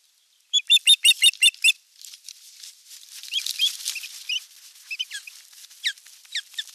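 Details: Osprey on 25 April 2022 at a nest camera, during a sky dance and courtship display to an unringed female. Six loud chirps come in a rapid series, then rustling and wingbeat-like noise with softer, squeaky, downslurred notes scattered through the rest.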